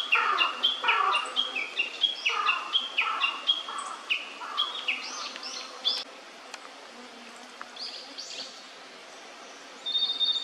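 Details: An immature blue-and-white flycatcher (Cyanoptila cyanomelana) sings a rambling six-second run of quick, varied whistled and chirping notes, then a few scattered notes over faint background hiss.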